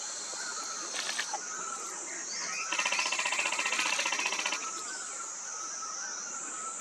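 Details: Spot-breasted Parrotbill (Paradoxornis guttaticollis) at Khonoma, Nagaland, India, in April 2024 gives a harsh, rapid chatter of buzzy notes lasting about two seconds, after a brief earlier burst, over a steady high insect drone.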